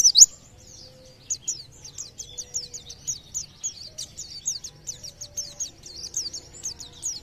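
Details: White-eye song used to get nearby birds singing: a brief loud high chirp, then a long run of softer, steady, rapid thin chirps and downward slurs over a low hum.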